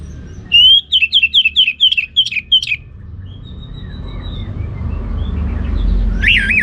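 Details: Orange-headed thrush, captive, singing ngeplong style in Singaraja, Bali: a fast string of about eight repeated sharp rising notes, then faint thin whistles and a final looping warbled phrase.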